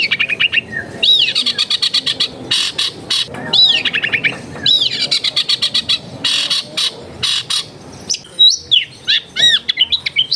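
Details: Long-tailed shrike song recorded in a crowded residential area to encourage a lazy bird to sing: arching whistled notes alternate with dense rasping chatter, repeated in bursts, closing with sharp rising and falling whistles.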